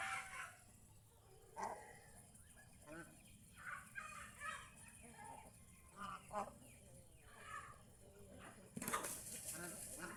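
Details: Several domestic geese enjoying the open fields around their home call in short harmonic honks and nasal gabbles, scattered across the clip with brief quiet gaps, ending in a louder, noisier burst; faint rustling underneath.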